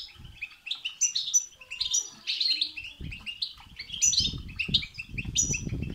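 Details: European goldfinch singing batbata and setsata phrases to excite a goldfinch into song. Lively tinkling twitters come with sharp high accents roughly each second, and low rumbling handling noise builds in the second half.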